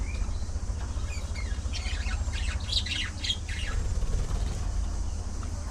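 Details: Budgerigars in a social colony let out a short run of harsh, squawky chirps midway, with faint twitters around them and a constant low hum underneath.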